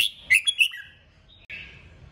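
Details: Red-whiskered bulbul in a kích bổi stimulation song: a quick, loud cluster of three sharp, bright whistled notes trailing into a falling slur, then a softer warbled note.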